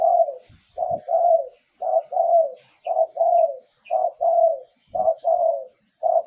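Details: Decoy cooing of a spotted dove, used for luring wild birds: six steady phrases, each a brief clipped note followed by a longer rolling coo that falls away, repeated roughly once a second. Faint low thumps in the background.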